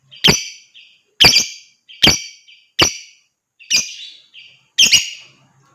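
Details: Lovebird sounds used to stimulate singing in other birds, including ngekek chatter. Six grating, buzzy screeches at uneven intervals of under a second, each followed by a quieter trailing note.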